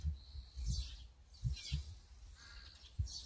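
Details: Azure-winged magpie, filmed with a Sony A9 camera: three short harsh rasping calls spaced over about three seconds, with dull low thumps and rumble underneath.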